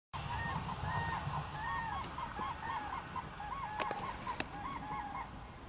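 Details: Common cranes, the first of spring, met on 4 March 2013 in Poland as a sign that spring is coming; repeated bugling, trumpeting calls in a steady series from several birds, over a low rumble of wind or distant traffic.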